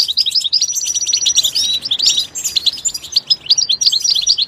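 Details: Goldfinch song from its natural environment: an unbroken stream of rapid, high tinkling chirps and trilled notes running throughout, with no other clear sounds.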